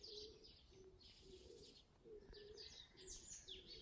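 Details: Several birds in early summer, heard around a house yard and neighbourhood alleys: a low, soft cooing note repeated about every half second beneath thin, high twittering chirps in quick bursts.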